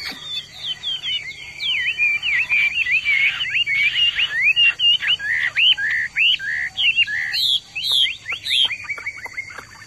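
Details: A captive Hwamei kept in a courtyard sings excitedly along after hearing other birds: a rich, rapid run of varied swooping, rising whistled phrases, with a steady high thin tone and a few sharp high notes behind.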